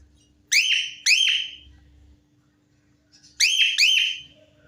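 A cockatiel gives loud, rising whistled calls in two pairs, with a faint steady hum beneath.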